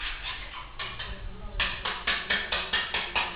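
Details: Red-vented bulbul (Pycnonotus cafer) in Kerala, a nesting bird whose three chicks hatched at a house, giving a quick run of harsh, chirpy notes, about two or three a second, louder in the second half, over a low background rumble.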